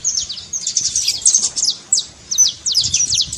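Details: Saffron finch in trincado style, played to get a quiet bird singing: bright, high, rapid chirping in clustered bursts of steep downslurred notes, a short gap near two seconds, then another lively burst; faint low noise beneath.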